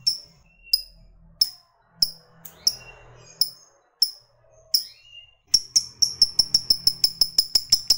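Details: Ticking lovebird fighter: scattered sharp high chips at first, then speeding into a quick, regular series of about three ticks per second, with a faint low hum behind.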